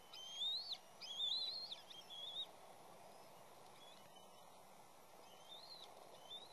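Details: Intruding third juvenile bald eagle at the West End nest, repeatedly knocked off by the chicks and parents: a burst of high, thin, chittering whistled notes over the first seconds, then a few faint notes later over steady background hiss.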